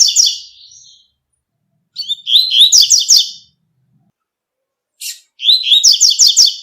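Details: Coleiro singing its tui-tui song in the wild: repeated high, rapid phrases of twittering notes, a sharp call note before the last phrase.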